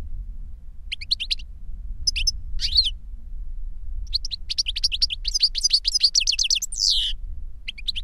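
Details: An older goldfinch sings for a younger goldfinch to learn from: short twittering phrases build into a fast, chattering run of high notes, ending in a wheezy slurred note, with faint low rumble beneath.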